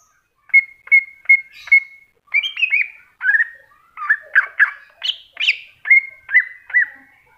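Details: Greater green leafbird in masteran style: a fluent run of loud whistled notes. Level whistles repeat about four times, then come varied falling slurs and rising chirps, ending with further whistled repeats.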